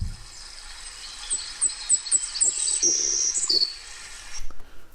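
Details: Savannah Sparrow song from Idaho, a bird of grassy meadows: a few thin, very high chips, then a high insect-like buzz like a Grasshopper Sparrow's, ending on a slightly lower buzzy note; faint low thumps and room noise underneath.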